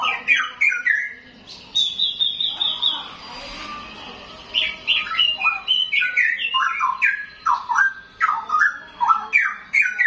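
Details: Straw-headed bulbul, a young bird taken from the wild, pours out rich gurgling song. Rapid stepped and sliding whistled notes run in bursts with a brief lull midway, then build to quick repeated flourishes.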